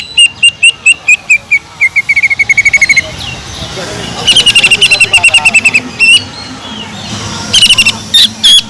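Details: Vocal greater green leafbird delivering its kingfisher (tengkek udang) imitation for training other birds: three runs of quick, sharp repeated notes, each series dropping slightly in pitch, separated by short gaps.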